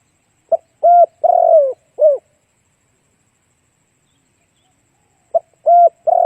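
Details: Lure song of a spotted dove, played to attract other doves: one full phrase of a short note, a steady coo, a long burry sliding coo and a falling final coo. Silence follows, then the next phrase begins and is cut off.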